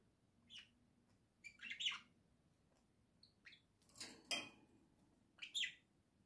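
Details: Pet budgerigars in a home flock singing, October 2024: scattered soft chirps and a few buzzy, rasping notes, with a brief clatter in the middle.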